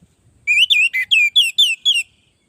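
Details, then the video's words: Orange-headed thrush in full song, a recording meant to teach and provoke other birds: seven clear, ringing whistled notes, some rising and some falling, follow each other rapidly in one bright phrase, with only faint low noise beforehand. "Suara burung Anis merah gacor masteran Anis pancingan suara burung Anis merah"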